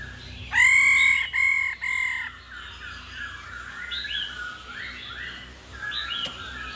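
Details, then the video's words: A female laughingthrush calls 'ro', a sound said to spur males to sing hard every day. Three strong, buzzy notes open the recording, then quieter rising and falling whistles continue in the background. "Khứu mái ro quá đỉnh.kích trống hót căng mỗi ngày.khứu mái ro ro"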